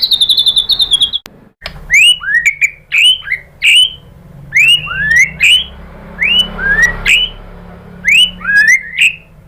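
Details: White-rumped shama (murai batu) lure song for provoking birds to sing: a high trill, then paired sharp upslurred whistles repeated every second or so, clean and loud.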